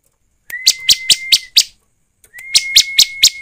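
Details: Bar-winged prinia lure sound: two phrases, each a steady held whistle topped by four or five evenly spaced, rhythmic chirps, with a gap of about a second between phrases.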